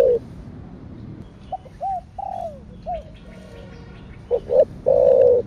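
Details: Spotted dove cooing in the style called Thổ đặc thúc kích bổi (thổ sấm): several short slurred coos, a gap, then two quick notes and a long loud held coo closing the phrase.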